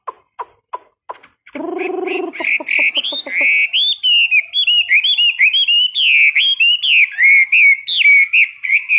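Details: Chinese hwamei kept in a cage, in a daily 15-minute morning song training: a few sharp ticks, a harsh low buzzy rattle, then a rich continuous run of loud, fluty, warbled whistles that rise and fall rapidly.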